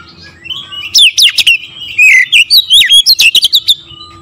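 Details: Magpie-robin song used to provoke other magpie-robins into singing, in the loud continuous style known as gacor: after a quiet start, a burst of varied whistled phrases, sharp rising and falling notes packed densely for about three seconds, with a faint steady hum behind.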